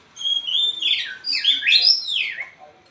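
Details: White-rumped shama, blorok variety, in continuous song to lure an unwilling shama into singing: a level whistle, then loud warbled slurs sweeping steeply down and up in quick succession.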